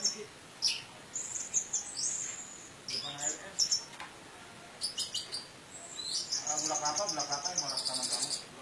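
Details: Orange-headed thrush teler lure song with a rich fill, from Indonesia. High whistles and sharp chirps come in bursts, ending in a long, rapidly repeated pulsing run of high notes with fainter lower harmonics.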